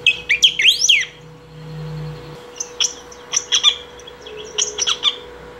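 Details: Saffron finch singing without pause to call or train: a fast run of bright swooping whistles opens, followed by clusters of short, high, clipped chirps, over a low background hum.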